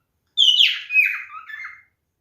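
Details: A single loud, slurred whistle phrase from a male cockatiel in mating behaviour, starting high and stepping down through warbling notes, with no other sound around it.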